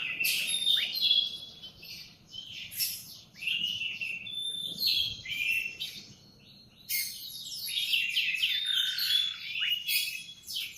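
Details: Canary morning song in separate phrases of chirps, swoops and whistled notes. Short pauses fall between phrases, and a longer quiet gap comes midway before a dense, lively burst.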